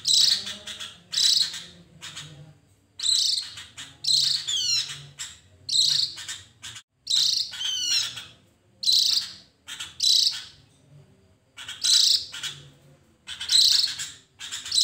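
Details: Javan grey-throated white-eye song used as a lure for other birds: short, shrill chirping bursts repeated about every one to one and a half seconds, with occasional quick downward-sweeping trills between them.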